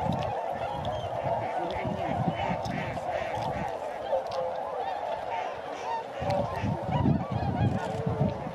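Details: Sakata, Japan, 3 November 2018: a flying flock of tundra swans keeps up a dense, continuous honking chorus for the whole stretch, over repeated low wind rumbles.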